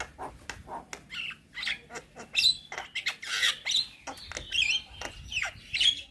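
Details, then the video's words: Young Javan myna in full isian song: loud rhythmic bursts of harsh, buzzy chatter mixed with high piercing whistles, the phrases coming in quick, irregular succession. "Burung Jalak Muda Pasti Nyaut Saat Dengar Kicauan Jalak Kebo Muda gacor Full Isian"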